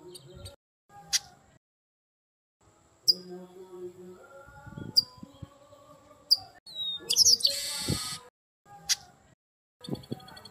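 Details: Fiery red-cowled cardinal (garibaldi, papa-arroz) ringing intensely: scattered short high chirps and thin notes over a low humming background, building to a dense, loud, ringing outburst near the end, followed by more chirps.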